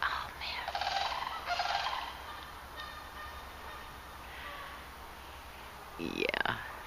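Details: Sandhill cranes still present on a Saturday morning at a city park pond behind a backyard, resting before heading south: rolling, trumpeting rattles in bursts over the first two seconds, then fainter calls, with a person speaking nearby and a closing rising sound.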